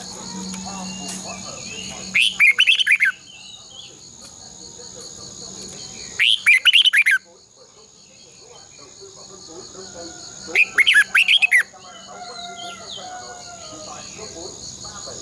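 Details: Red-whiskered bulbul competition-style song used as a decoy to train and stimulate other bulbuls to sing: three loud bursts of rich, bubbling, warbled notes about every four seconds, with faint background birds and a steady high hiss.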